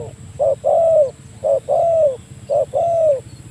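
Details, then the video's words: Spotted dove calling a rival, used as a lure for trapping doves: low mellow coos in a regular pattern, a short note then a long sliding coo, repeated three times roughly once a second. "burung tekukur memanggil lawan, mikat burung tekukur"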